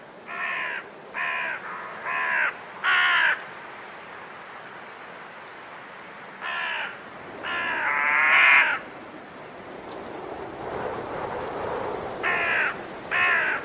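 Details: Irregular series of about ten harsh raven caws, some short and clipped, others longer and drawn out, in bursts separated by pauses of several seconds; light background rustle.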